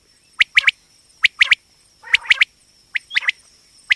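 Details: Female common quail (batair) calling, used as a hunting sound: short sharp chirped notes near the upper-middle range, single or in quick clusters of two or three, spaced irregularly, with a steady faint high electronic tone throughout.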